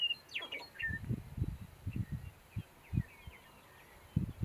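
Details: Sharp-tailed grouse at a lek: a series of short, low, booming pulses arrive in uneven bursts about every half second, with thin high chirps and faint scratchy notes above, over quiet open-country background.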